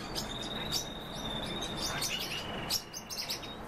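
A great tit gives a thin, high, sustained whistle broken by quick, sharp chirps about every second or two, over faint background hiss.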